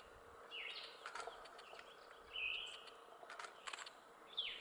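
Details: Tufted flycatcher (Mitrephanes phaeocercus), fourth US record, in upper Ramsey Canyon on May 22, 2015, giving three thin, high whistled call notes about two seconds apart over faint hiss and a few sharp clicks.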